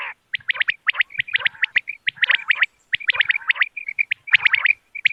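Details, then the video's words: Common quail, used as a hunting lure on moonlit nights: dense bursts of short, sharp clicking notes near one pitch, packed in quick rapid runs with brief gaps and a few lower nasal notes. "بٹیر کی آواز چاندنی رات کیلئے quail bird sounds for hunting common quail bird bater"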